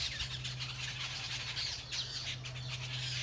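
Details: A flock of more than 10 jungle babblers on a bamboo fence in New Delhi chatters in a dense wash of harsh, squeaky, overlapping calls over a low hum, while the birds mock-fight and allopreen.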